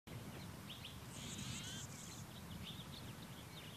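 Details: A female phainopepla foraging for wild berries in Ventura County, California, in March 2010 gives short, high chirping call notes in a loose series while moving between perches, with a brief higher burst partway through, over a steady low background rumble.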